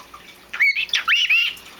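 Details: A vocal pet male cockatiel at bedtime, with its cage still open, gives a quick run of warbled, squeaky chirps and whistles, rising and falling, while its owner coaxes it to sleep.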